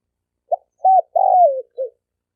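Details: Single phrase from a male spotted dove calling to lure females: a short note, an arched coo, a long coo sliding downward, then a soft closing note.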